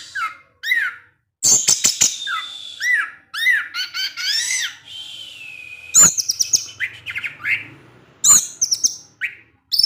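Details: Orange-headed thrush singing in the evening, its song provoking other thrushes: rich varied phrases of slurred whistles, sharp clicks and short warbled notes, with brief pauses and a long level whistle in the middle.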